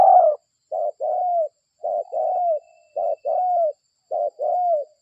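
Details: Spotted dove, a local bird used as a lure to draw other doves in: low cooing phrases, each a short note then a longer falling coo, repeated about every second, on a silent background.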